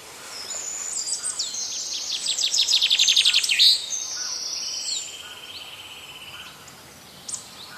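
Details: Wild birds singing in nature: a loud, rapid run of high buzzy trilled notes peaks midway, over overlapping thin whistles and a long steady whistled tone from other birds, with a faint background hiss.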